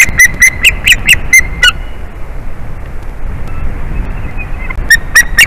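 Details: Adult male white-tailed eagle at the nest, 8 April 2021 in the afternoon, calling as his mate comes back; a youthful-sounding voice. A fast string of about eight shrill chips, a quiet gap, then three more closing notes.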